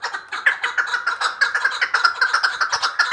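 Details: Chukar partridge from Vanj: a dense, fast series of throaty clucking notes, repeated steadily at a little over two per second, with no other sounds.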